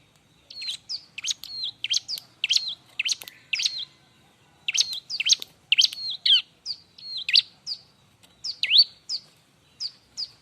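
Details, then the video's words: Bar-winged prinia in busy, sharp song used as a tutor for other prinias: quick clusters of high, piercing chirps with downward and V-shaped sweeps, separated by brief pauses. "suara r!but burung ciblek-cocok untuk masteran"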